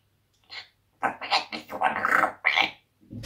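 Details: Grey parrot (Psittacus erithacus) called Rico, a talking pet said to swear at its owner, speaks in five or six quick rasping, speech-like bursts with squeaky, breathy tones and brief pauses.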